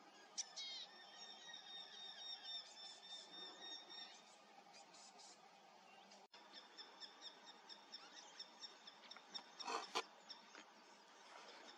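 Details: Eurasian hobby on a foggy morning, 7 August 2024: thin, shrill, squealing notes in loose series, some drawn out and some clipped, over a faint background hiss.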